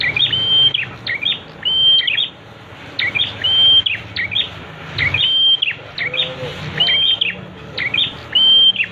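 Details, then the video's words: Prinia, known locally as prenjak, singing for a training master track: sharp chirped phrases built around a steady high whistled note flanked by quick flicked notes, repeated in bursts roughly twice every three seconds, faint low background hum. "Masteran untuk prenjak, agar cepat bunyi"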